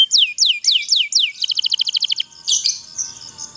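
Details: Canary pocong-style song with long rolling trill for training lazy birds: five falling swept notes, a fast pulsed trill, then a short harsh burst fading out.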